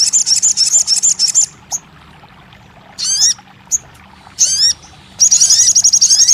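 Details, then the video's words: Crested jay, meant to start a silent bird singing: a fast high rattle, single sharp notes, short bursts of descending swoops, then another long rattling trill. "TERAPI RAJANYA SOGON MACET BUNYI"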